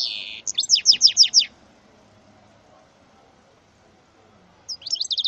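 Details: Mule bird, offspring of a male goldfinch and a female canary, gives a short burst of high chirps, then a row of five evenly spaced sharp notes, a long pause, and a new twittering phrase.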